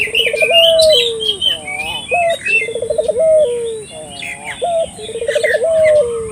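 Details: Spotted dove calling loudly to draw local doves into calling: three low phrases of short note, fast pulsing tremolo and long descending coo, about two seconds apart, with bright chirping birds behind.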